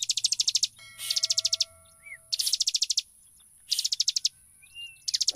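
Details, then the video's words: Bar-winged prinia (ciblek) singing actively, used to provoke other prinias: bursts of rapid, high, dry chipping notes, about a dozen per burst, with a few thin whistles and a steady high hiss. "SUARA CIBLEK PENDONGKRAK EMOSI CIBLEK LAIN IKUT EMOSI SEKETIKA"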